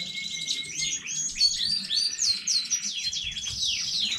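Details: Canary singing, domestic bird of new breeding recorded 15 May 2019: a steady whistle, then tangled quick warbled notes leading into rapidly repeated falling high slurs.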